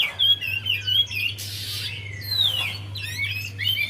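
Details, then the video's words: Javan white-eye song used as a lure to get a quiet bird singing: scattered high thin whistles and sliding chirps, a brief hissing burst midway, over a steady low electrical hum. "Buat Pancingan Untuk Poci Yg Malas Bunyi"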